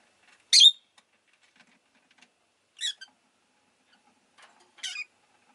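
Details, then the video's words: Rosy-faced lovebird kept indoors as a pet, uttering three separate sharp, high chirps about two seconds apart, the first the loudest, in otherwise quiet surroundings. "Lovebird Chirping Sounds"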